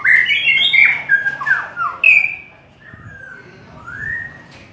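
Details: White-rumped shama in long song, opening with a quick tumble of bright whistled and warbled notes, then pausing before two drawn-out, smoothly slurred whistles.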